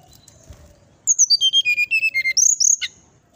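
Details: Fluting 'nyuling' song of a brown-chested jungle flycatcher, said to provoke birds next door. About a dozen pure whistles drop down the scale, then come upswept high notes and a brief rasping note at the end.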